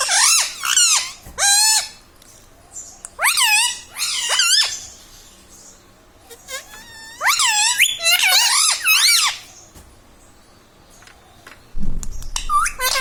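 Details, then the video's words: Caged pet ringneck parrot repeating learned words mummy, papa and radhe radhe; several bursts of shrill, warbling voice-like syllables with rising and falling pitch, separated by short silences, a low thump near the end. "Talking mummy papa|| mummy vala parrot || mithu bolo radhe radhe"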